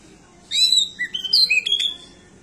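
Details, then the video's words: An endemic pied bushchat from Nusa Tenggara sings vigorously with a varied repertoire. A jumble of high whistles climbs and falls in pitch, broken by sharp clicks, over about one and a half seconds. "DECU ENDEMIK NUSRA SUPER GACOR ISIAN"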